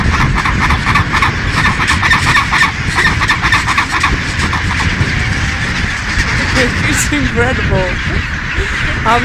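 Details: Thousands of Chinstrap penguins in a huge breeding colony at Baily Head, Deception Island, South Shetland Islands, Antarctica, give harsh, overlapping braying calls in fast pulsed bursts, with strong wind rumble and human voices.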